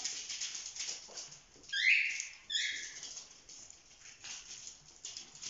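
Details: Young cockatiels just over four months old, in a playful group, give two short, harsh, scratchy screeches a moment apart, over steady rustling and pattering in the background.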